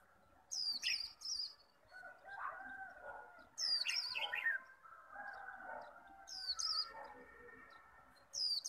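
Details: Japanese white-eye kept as a cage bird, singing hard líu-style contest song to rouse a rival: three bursts of thin, high twittering separated by pauses, with lower chirps from other birds between them.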